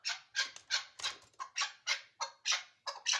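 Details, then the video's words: Harsh, rasping chuck calls of a chukar partridge at Ishkoshim, about nine loud notes in three seconds with uneven spacing, each note broad and scratchy, with faint low thumps early on. "Кабки Ишкошим"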